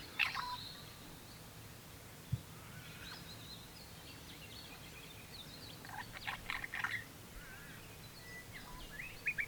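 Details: Spiny-cheeked Honeyeater near the Lindsay River, Lindsay and Mulcra Island area of north-west Victoria, trying to break into song: a sharp opening phrase, a pause, then a burst of liquid, rising and falling bubbling notes over steady background hiss.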